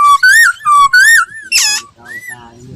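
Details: Laughingthrush in voice-training song: rich, rising and falling whistled phrases with strong overtones, a harsh burst, then a faint final whistle.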